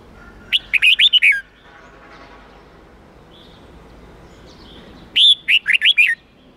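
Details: Red-whiskered bulbul training song in the 8-9-10 note wild style for young birds: two phrases of about six fast, warbled whistles, four seconds apart, with quiet hiss between.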